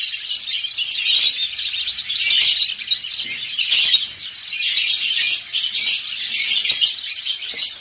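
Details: Ngriwik singing by a crowd of white-eyes, dakun and montanus types together. It is a thick, unbroken wash of shrill, high chirps and trills that swells and eases in waves, with no single bird standing clear.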